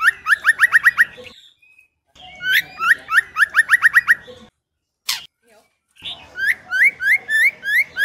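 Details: Female White-rumped shama singing to excite male birds: rapid bursts of repeated rising whistled notes, several per second, broken by pauses and one sharp click-like noise between phrases.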